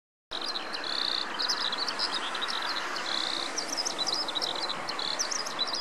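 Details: A Eurasian skylark perched on a post in Noda, Japan, on 4 June 2014, pours out a continuous high, rapid warbling song of chirps, trills and short buzzy notes over a steady hiss.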